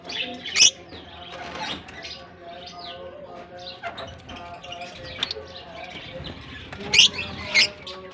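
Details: In a German colony at the start of the summer season, released lovebirds give sharp, high-pitched chirps, the loudest near the start and toward the end, over dense background twittering from the flock.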